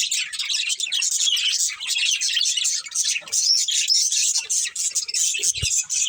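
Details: A group of pet budgies chirps and warbles in a dense, high-pitched stream of twittering, ending with a low bump.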